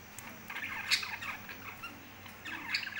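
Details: Pet lovebirds giving harsh, piercing squawks and quick chirps, a loud burst near the start and another toward the end, over a steady low hum.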